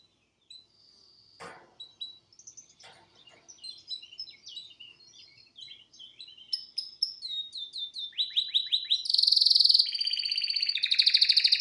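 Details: A pet male canary sings live in front of a television, starting with soft scattered chirps and a couple of sharp clicks, building into fast repeated falling notes and loud, rattling rolled trills.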